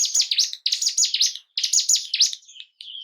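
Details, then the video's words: Bar-winged prinia song for arousing caged birds to breed and fight; two loud rapid phrases of sharp down-sweeping buzzy notes, ending in a few softer thin chirps. "Pancingan burung ciblek gunung pancing birahi dan emosi burung anda"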